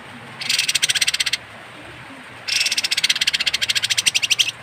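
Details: Kapas tembak bird producing its coarse, odd call for songbird tutoring: two rapid rattles of rasping pulses, the first about one second long, the second about two seconds, with a pause between them.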